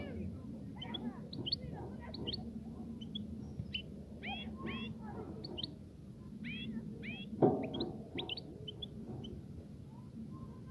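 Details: Song of a European goldfinch meant to stir a female into mating and nesting. Quick clusters of liquid, bending twitter notes come in small bursts, with a loud click near the middle and a constant low droning background.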